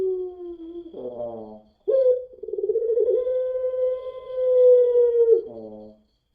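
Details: Puter pelung dove, long-voiced breed: a low trailing coo ends in a rough, gravelly catch, then a pause and one long, level, pure coo of about three and a half seconds closing with another rasp.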